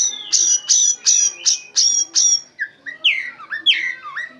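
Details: Oriental magpie-robin imitating white-rumped shama, used as a training song: five loud sharp high notes at even spacing, then a series of swooping, falling whistled phrases.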